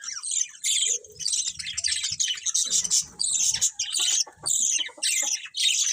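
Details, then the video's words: Colourful budgies chattering nonstop, rapid high warbling twitters and harsh buzzy squawks layered over one another, with a few faint low knocks beneath the flock's chatter. "Beautiful Colourful Budgies Chirping Sounds"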